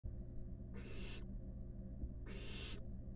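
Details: Five wild barn owl nestlings huddled together in a monitored nest box give two harsh, broadband hissing rasps, each about half a second long and roughly 1.5 seconds apart, over a steady low electrical hum.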